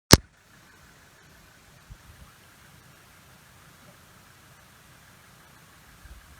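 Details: A sharp click at the start, then quiet hiss with a few soft knocks.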